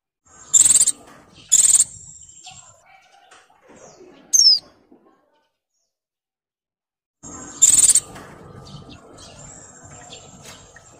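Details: Breeding female Oriental white-eye calling males: two loud high buzzy bursts close together, a short descending whistle, a silent gap, then one more buzzy burst, amid low background noise.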